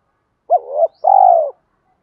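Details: Spotted dove, 'đồng pha' voice, calling to bring wild doves near: a clipped upturned note sliding into a wavering coo, then one long smooth mellow coo that fades down.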